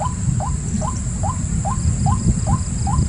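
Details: White-breasted waterhen giving short rising notes, repeated steadily about every 0.4 seconds, over a heavy low rumble and a constant thin high whine.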